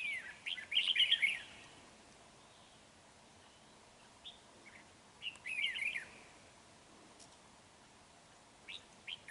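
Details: Red-whiskered bulbul decoy, large with a dark bib, singing during bird trapping on 31 January 2019: a loud warbled phrase, a pause, a second similar phrase, then a few sharp chirps near the end.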